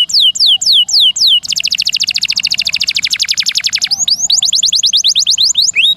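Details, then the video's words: Master-recording canary song meant for tutoring songbirds, with long rolls and varied bursts: spaced hooked downslurs, then a dense, fast, even high trill lasting over two seconds, then quick rising whistled strokes. "Masteran Burung Semua Jenis Burung Kenari [Rool Panjang,Variasi Tembakan]"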